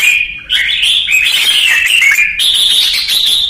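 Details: Red-whiskered bulbul from Vietnam, a bird in ché song training. A loud, nearly continuous warble of bright whistled notes shifts up and down in pitch for the whole stretch.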